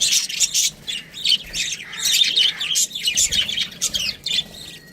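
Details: Pet budgerigars chirp in quick runs of high, scratchy warbling notes, rising and falling in short bursts.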